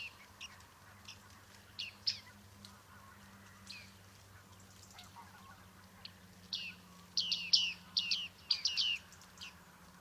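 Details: Bearded reedlings in Liepāja, Latvia, July 2023: scattered soft pings, then a loud close run of ringing metallic 'ping' calls in quick succession near the end, over a low steady hum.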